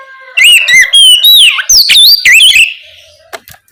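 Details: Oriental magpie-robin in 'ngeplong' night song, a lure to get spotted juveniles singing: a fast, loud series of looping whistles, with swoops both high and low, and sharp chip notes over two seconds, then a quiet tail.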